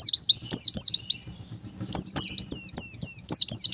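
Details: Therapy song of the white-eye, or pleci, to make birds sing freely: dense, high-pitched, slurred whistles tumbling downward in quick succession, a brief break, then more, over a faint low hum.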